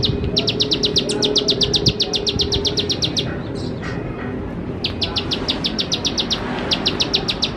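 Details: Bar-winged prinia (ciblek sawah) lure song meant for young birds learning to sing: bursts of quick, dry, high-pitched ticks in rapid series, separated by gaps holding a couple of soft thin chirps, over low background hum.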